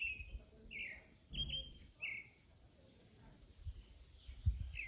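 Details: A creamy-bellied thrush (Turdus amaurochalinus) sings short, clear whistled phrases, each under a second, spaced irregularly, over a steady low rumble of wind and outdoor noise; recorded in the wild.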